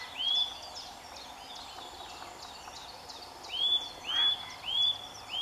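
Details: Eurasian nuthatch singing in sunshine in early March; clear, rising whistled notes, one early and then a quick series of four near the end, with faint high calls from other birds between.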